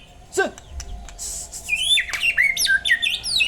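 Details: White-rumped shama song: a rapid series of sharp, high whistled notes and slurred chirps, many sweeping down then up, after a few softer clicks and a short lower note at the start.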